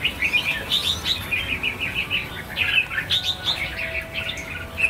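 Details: Red-whiskered Bulbuls, roughly a thousand birds being released, give a run of clear chirped and whistled notes in quick succession, several voices overlapping.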